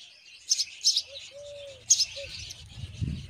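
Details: Myna feeding her chick a spider: three bursts of harsh, hissy high chirps, with a few soft, low whistled notes between them and a brief rumble at the end.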